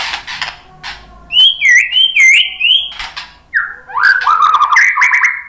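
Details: White-rumped shama song for provoking fighting males: looping whistled notes with dipping slurs, repeated about three times, then a lower varied run of fluty phrases after a short gap.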